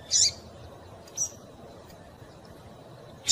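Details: Female double-collared seedeater calling to warm up and stimulate males to sing: short, high, sharp chirps, one at the start, a fainter one near one second, another at the end, over a quiet low hiss.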